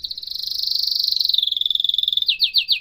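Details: Canary song in a professional style: a fast, even, high trill of rapidly pulsed notes that drifts slightly lower, then breaks into a few loud, separate down-slurred chirps.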